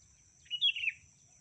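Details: A female sooty-headed bulbul calls the male in a lure recording, giving one quick liquid, slurred phrase lasting about half a second and ending on a dropping note, against a steady high whine and faint low rumble.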